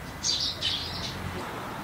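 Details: Eurasian tree sparrow, a resident bird that lives close to human homes. Two or three sharp, bright chirps come in quick succession, then stop, over quiet low background noise.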